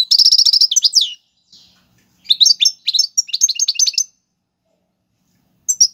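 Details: European goldfinch, Algerian, singing Tiwawati Galoubi and Serfati style song used to teach young birds: rapid trilled buzzy phrases, then a pause, then sharp twittering runs, clean and close with no other sounds.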